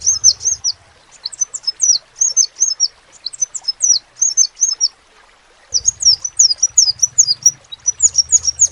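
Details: Energetic crimson sunbird song of high-pitched, twisting chirps grouped in quick bursts, with a gap of near silence before a denser, busier run; a soft low rumble appears underneath at times.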